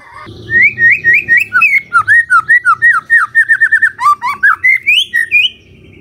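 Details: Magpie-robin singing at dawn as a lure to provoke a silent bird to respond: a continuous chain of bright, up-and-down whistled notes, evenly paced and rich in overtones, over a faint low hum.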